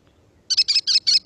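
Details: An American Kestrel, a bird heard in southern Quebec neighbourhoods, gives a quick run of five shrill, high notes, klee-klee-klee, about five per second, over a quiet background.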